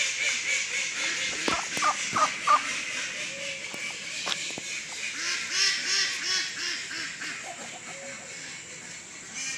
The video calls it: Turkey making noises